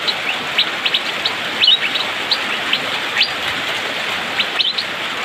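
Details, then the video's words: Fast, dense rainy-season song of an Asian fairy-bluebird, known locally as cucak biru or pikpik: short ringing chirps and quick doubled flicks, spaced irregularly, over steady rain. "Cucak biru/pikpik,musim hujan auto gacor speed rapat"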